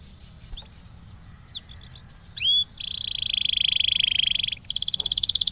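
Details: Canary lure song meant to make a quiet canary sing more: scattered soft whistled notes and a sharp slur, then a long buzzy high tone and a fast bead-like trill.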